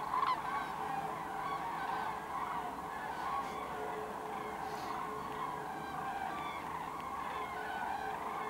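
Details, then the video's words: Common cranes at Kvismaren settling into a wetland roost among some 24,000 birds; a thick chorus of overlapping calls from a distant flock, with a faint steady hum beneath. "Cranes in Kvismaren"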